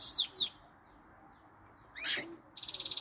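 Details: Goldfinch-canary hybrid singing a few canary notes: two quick downslurred chirps, a pause, a harsh buzzy burst, then a fast pulsing trill.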